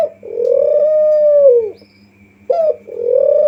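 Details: Spotted dove giving a lure call to draw other doves: one long, level, mellow coo falling at its end, then a brief sharp note opening the next coo.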